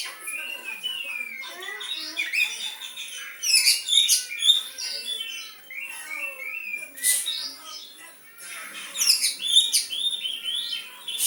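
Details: White-rumped shama mimicking the sooty-headed bulbul, pouring out a long run of rising and falling whistled slurs interspersed with rapid clicks and rasping high bursts, phrases fast and irregular.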